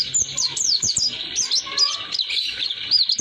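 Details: Oriental white-eye roll song for schooling young birds: high, twisting twitters and squeaky slurs tumbling together, briefly softer midway, then resuming, with a few low clicks and a faint hum.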